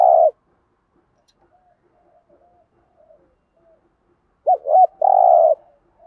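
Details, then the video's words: Spotted dove giving the thúc gù style song used to trigger wild birds to sing: a coo ending at the start, a long near-silent gap with faint soft notes, then one full phrase of a wavering double note and a husky coo. "tiếng cu gáy THÚC GÙ bài bản/ chim cu gáy giọng bài bản giúp bổi ức chế và gáy theo"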